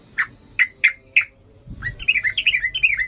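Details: Yellow-vented bulbul in 'ngalas' singing style used to train young birds: four sharp separate chips, then a fast tumbling warble of descending slurred notes.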